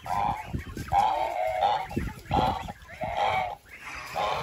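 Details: Repeated nasal goose honks, each held for about half a second, coming in a steady run with thumping low background noise underneath.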